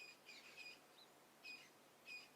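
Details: Red-billed buffalo weavers near a watering hole in Sabi Sands make a loud fuss at sunset, giving harsh, scratchy chattering bursts, roughly three in two seconds, fairly high-pitched and faint against a quiet background hum.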